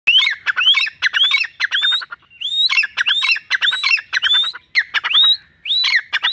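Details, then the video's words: Trained captive desi partridge sitting under a tree, calling when its owner whistles: a fast series of clicky notes, each capped by a sharp rising whistle, repeated about every half second with a short pause midway. "teetar ki awaz"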